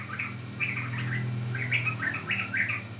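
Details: Sooty-headed bulbul lure recording for attracting or training birds, with paired and grouped bubbly whistles, some rising, over a noticeable low humming drone.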